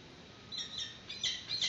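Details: Peregrine falcons at a nest seen on a live webcam in 2019, during a chick's first feeding as an adult brings in a yellow bird as prey. Short, high, squeaky calls come in small bursts, growing louder toward the end.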